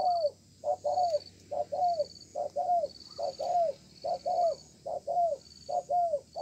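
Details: Spotted dove, a freshly caught wild bird, cooing in a contest under a communal house: paired notes, a brief hoot then a longer coo falling at its tail, repeated over and over, with a faint regular high beep in the background.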